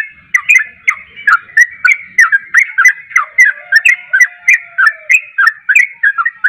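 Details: Long run of rapid 'ropel' song from a caged yellow-vented bulbul, used to draw a hard-to-sing bird into replying: a steady stream of bubbling, bending whistles about three per second.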